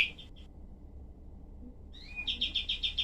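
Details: Cream-vented bulbul (kapas tembak) in harsh, rapid-fire tutor material: a few rough chirps, a long silence, then an upward-swept note leading into a quick string of sharp, evenly spaced harsh notes.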